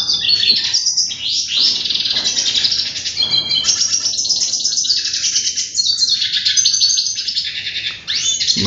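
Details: Hooded siskin song: a rapid, continuous twittering of high buzzy trills and chirps, broken by a few short pauses, with brief lower rattling bursts.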